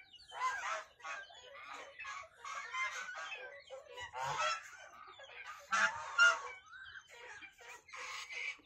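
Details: White domestic goose honking: a steady string of harsh, nasal honks, about a dozen in nine seconds, some louder and more strident than others, with little other sound.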